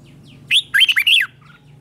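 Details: A red-whiskered bulbul sings in the morning during song training, in contest style. One short note leads into a loud, rapid phrase of bubbly, rising-and-falling warbled notes lasting about half a second, over a steady low hum.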